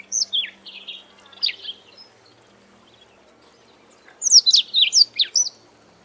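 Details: Black-throated Canary, a small African songbird, singing: two bursts of rapid, high, slurred and warbled notes, the first at the start and the second after about four seconds of near quiet, over a faint low steady hum.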